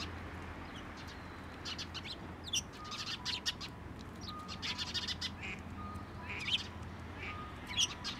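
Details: Sparrows at a Tenmangu shrine, landing on a person's hand to be fed, 15 November 2023; short high chirps come in scattered bursts, some in quick clusters, over a low steady background hum.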